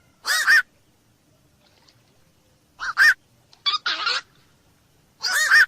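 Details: Black-crowned night heron, local name koak malam. Widely spaced pairs of loud, grating squawks come two to three seconds apart, one pair longer and more drawn out.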